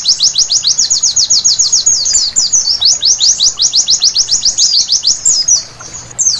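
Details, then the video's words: Night song of a white-eye, used to spur birds into full song: rapid, evenly spaced high chirps sliding downward, a tangled warble near the middle, then more quick chirps before a brief pause. "Terapi Pleci Malam Hari Bikin Gacor seketika!!!"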